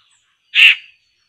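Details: One harsh, buzzy rasp from a poksay (laughingthrush) targeted for trapping: a dense burst under half a second long that fades off at the end.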